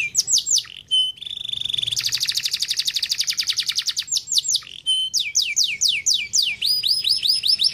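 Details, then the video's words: Canary song used to stimulate other canaries: sharp sweeping whistles, a steady note, a long fast high trill, then varied downward-sweeping and hooked whistled phrases. "bons canários .. estimulam muito rapidamente o som do chilrear dos canários preguiçosos"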